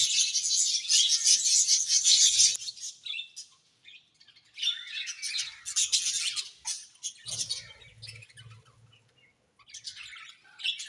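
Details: Budgerigars chirping together in a happy colony, a bright burst of rapid, squeaky, overlapping chatter that breaks off, resumes in short busy spells, then fades to quieter chirps with a low rumble.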